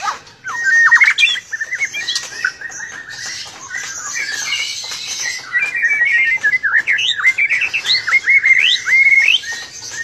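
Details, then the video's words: White-rumped shama of the blorok variety singing a fast, varied song of whistled notes and quick trills around a steady middle pitch, phrases running almost continuously with sharp clicking sounds scattered throughout. "KICAU MANIA Murai batu blorok"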